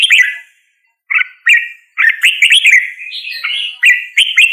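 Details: Singing red-whiskered bulbul gives a short phrase, falls quiet, then delivers clipped whistles before a longer flowing run of bright, rolling, slightly buzzy notes.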